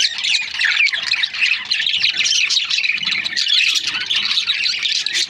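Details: Several budgerigar breeding pairs make a constant wash of shrill, squeaky chirps and warbled chatter, all high-pitched and overlapping.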